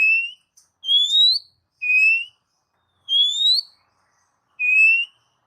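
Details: Oriental magpie-robin whistles meant to stimulate pet birds: five clear, slightly rising whistled notes, each under a second, repeated about once a second with short gaps, nothing else audible.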